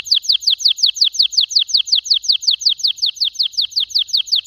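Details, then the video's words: Canary singing a fast trill of bright, downward-slurred notes repeated evenly about three times per second, loud and clear throughout. "Best canary singing 2021 beautifull"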